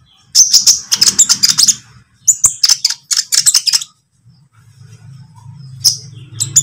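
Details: Konin lovebird of the green or speckled variety, on a lure recording for training songbirds: loud, shrill chattering bursts in rapid series, two long runs separated by a pause, then a few short squeaky notes over a low hum.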